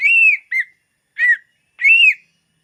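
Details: Greater green leafbird song, used for luring birds: four loud, clear whistled notes. Each arches up and then falls, and one short note is clipped in between. Silent gaps separate the phrases.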